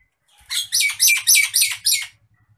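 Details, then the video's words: Nias hill myna in an agitated mood gives six loud, grating squawks in quick succession, each a broad rasp lasting about a quarter second, over a faint steady low hum. "MASTERAN BURUNG JALAK NIAS NGAMUK"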